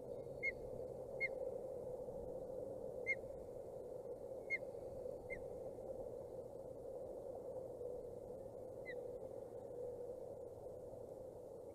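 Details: Two osprey chicks, 29 and 27 days old, at their nest in Boulder County on 14 June 2019: sharp, high single chirps spaced one to two seconds apart, six or seven in all, over a constant low electrical hum.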